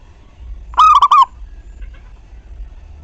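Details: A local zebra dove in singing form, used to stimulate other doves to coo: one loud, rippling phrase of four fast wavering pulses, followed by quiet low hum.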